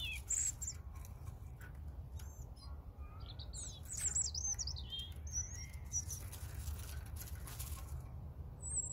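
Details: European robin delivering several brief, varied high phrases: clear whistles, fast twittering runs and thin sliding notes, spaced by pauses, with constant low-pitched background noise.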